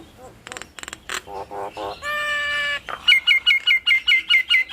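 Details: Nias hill myna duet used to provoke a quick response from other mynas: scattered clicks and short nasal notes, a sustained harsh tone, then a steady run of loud whistles repeated about three times a second.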